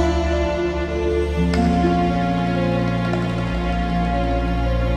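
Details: Gentle new-age background music with sustained synth pads and a bright held tone entering midway, no animal sounds present.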